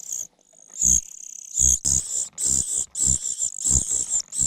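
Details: Parasitic common cuckoo chick begging, frustrated at not getting food and pecking its foster mother; a thin high whine, then loud harsh wheezy bursts in quick succession with low thuds.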